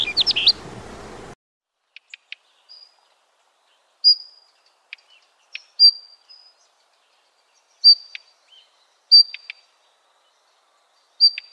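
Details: Daurian redstart on the day the young leave the nest, in the Yeoncheon area, giving thin, high whistled notes mixed with soft ticking clicks a few seconds apart, after a brief burst of rustling noise.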